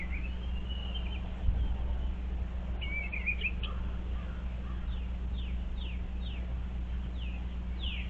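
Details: Eastern bluebirds looking over a birdhouse in late February 2023. A brief soft warble opens the clip and another follows midway. Quick downward-sliding chirps repeat later, with a low hum throughout.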